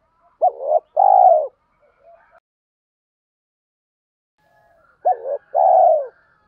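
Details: Two cooing phrases from spotted doves, played to rouse captive birds in training. Each phrase is a short curved note, then a drawn-out hollow coo, spaced about four and a half seconds apart, with faint soft notes between.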